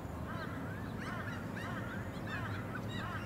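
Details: Australasian swamphen (Porphyrio melanotus) filmed on the Sunshine Coast, Queensland, in May 2021; nasal, honking harmonic calls with wavering pitch come in quick overlapping bursts above a steady low rumble.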